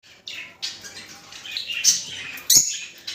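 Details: Rosy-faced and Fischer's lovebirds giving mating calls meant to stimulate breeding: short bursts of shrill, high chirping chatter with scattered sharp clicks.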